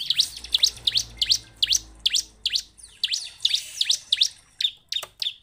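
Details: Lure song of a bar-winged prinia for prompting caged birds to sing: sharp, high chirps repeated roughly twice a second in a steady, bouncy series, ending in a couple of thinner notes.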